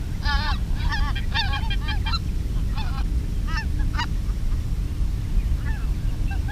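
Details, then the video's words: Greater white-fronted geese answering decoy calling, recorded in 2016: repeated high yelping two-note calls from several birds over a steady low rumble of wind or engine noise. "Голоса белолобого гуся"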